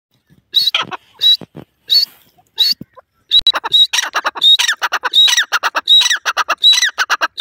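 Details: Grey francolin, also known as teetar: loud, harsh calling that starts as spaced bursts, then speeds into a rapid, steady run of repeated notes. Each note has a thin whistled tone and falling buzzy parts, with a quiet background.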